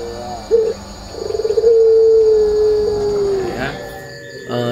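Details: A Puter Pelung contest dove at a breeder's aviary in Gondanglegi, Malang, East Java, gives a brief low note, a quick stuttering run of notes, then one long, steady, mellow coo held about two seconds and falling slightly.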